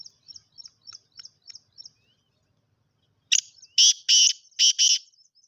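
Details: Kala teetar, the black francolin, calling after a run of soft, evenly spaced high chirps from small birds. Its call is a burst of harsh, scratchy notes: a short lead note, then two doubled rasping syllables, loud and abrupt.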